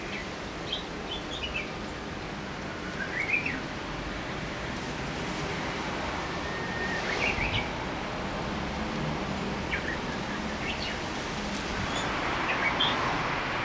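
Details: Japanese bush warbler giving its first song of the year on 15 March 2014 near a home, heard but unseen in a tall loquat tree; faint whistled phrases with a rising ending around three and seven seconds, over steady background noise and other chirps.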